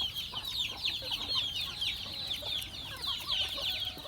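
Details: Many farm chickens calling while being fed, a constant tangle of high, slurred chirps with some mid-pitched clucks scattered through.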